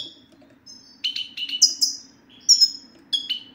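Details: Short stretch of European goldfinch song used to encourage male goldfinches to sing: a rapid run of stuttered chirps followed by bright high tinkling notes and a final twitter, over a low hum.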